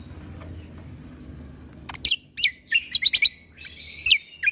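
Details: Greater green leafbird (cucak kombo) tutor recording in the full 'tembakan' style, played to young white-rumped shamas to teach them shot-like notes. After two quiet seconds, sharp whistled notes snap out, then a sustained high whistle with fast flicks.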